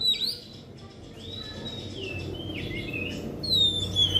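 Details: Oriental magpie-robin lure song meant to set other magpie-robins singing: a sharp opening note, then sparse drawn-out whistles and a few slurred notes spread over the clip against steady low background noise.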